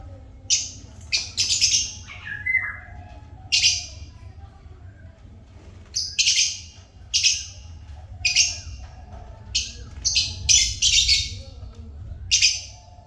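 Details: Shrill, piercing chirps from African lovebirds, sharp harsh notes fired singly and in quick pairs about once a second, with one lower squeaky rising note early on and a faint low hum underneath.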